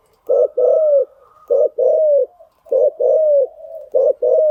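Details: Spotted dove cooing played to tame freshly caught birds: a steady series of paired phrases, each a short clipped coo followed by a longer, gently falling coo, repeated about every 1.2 seconds with faint background hum.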